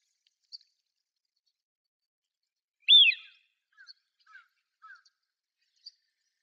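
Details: A Eurasian wigeon, a winter visitor, gives a single loud, clear whistle that rises and then falls, followed by a few soft, low chattering notes in an otherwise quiet setting.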